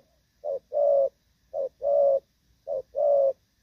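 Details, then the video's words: Spotted dove in moult giving a Thổ Pha coo, 3/6/2024: three paired phrases, each a short clipped note leading into a longer throaty coo, spaced about a second apart, with little background. "Thổ Pha | chim đang lông nhưng dàn rước với nước gù cũng tốt"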